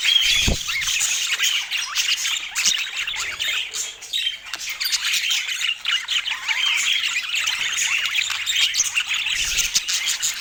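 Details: Continuous busy chatter of budgerigars: overlapping high squeaks, warbles and short chirps with no pause, plus a faint low thump near the start.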